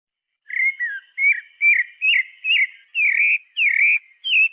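A pale-breasted thrush sings a quick run of about eight clear, whistled phrases, each slurring up or down, roughly two per second. No other sounds intrude.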